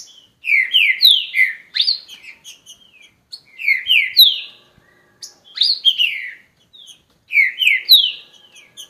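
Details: A green-winged saltator repeats its song: bright, descending whistled notes in quick runs of three to five, with brief pauses between phrases, over a quiet background.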